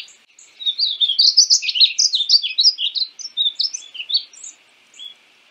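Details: One extended painted bunting phrase: rapid high twittering notes that gradually thin out toward the end, followed by a faint final chirp.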